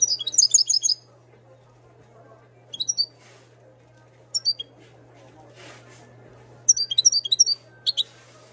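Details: Moroccan European goldfinch from 2022, singing in bursts of high, rapid twittering notes separated by pauses, with a steady low hum throughout and faint murmuring in the gaps.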